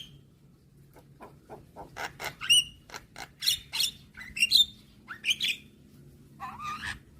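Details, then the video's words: Javan myna song used to train young birds each morning: soft clicks building into loud rasping notes, clear whistled pips and a final wavering nasal phrase. "Masteran Burung JAlak Kebo Muda Agar Cepat GAcor Manggut Manggut Rutin Putarkan Tiap Pagi"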